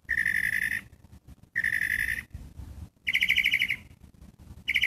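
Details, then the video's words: Catbird repeating rough, pulsed calls, the later pair pitched slightly higher than the first two, with short gaps between. "CATBIRD! WHAT BIRD IS THIS? IS THIS A BIRD? BAT? OWL?"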